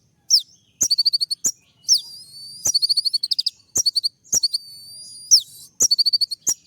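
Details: Olive-backed sunbird courting a female with sharp 'shooting' song notes: high downslurred whistles each followed by quick stuttered trills, repeated in short phrases with a buzzy drawn-out note between.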